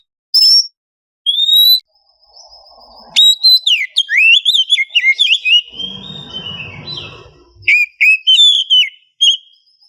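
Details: Morning lure sound of an oriental magpie-robin, a female in heat calling a male: two sharp whistles, then a long tumbling run of varied warbles and slurs with low rumbling noise beneath, ending in bright whistled phrases.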